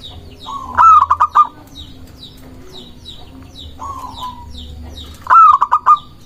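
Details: Cooing song of a local zebra dove, used to lure doves and stir rivals: a long low note leading into a fast rolling string of coos, repeated, beneath steady low hum and chirping from other birds.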